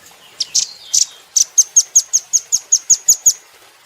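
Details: Velvet-fronted nuthatch, known locally as rambatan doraemon, kept as a cage bird, in a training recording for songbirds: a few rough, buzzy chips, then about a dozen sharp, high, clipped notes repeated evenly about six times a second.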